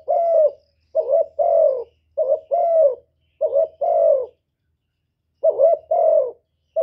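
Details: Spotted dove calling, urging and cooing: low, hoarse coos in paired phrases, a short rising note followed by a longer falling one, repeated about five times with a longer pause before the last phrases; faint low rumble underneath.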